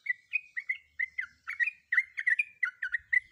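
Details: Breeding female sooty-headed bulbul calling to a male: clear, quick chirps, some paired, with rising and falling slurs, repeated at an uneven, lively pace.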